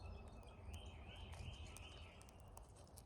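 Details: Cowbirds gathered in numbers at a feeder during migration in North America; wavering, undulating whistled notes repeat in three linked waves over steady background noise.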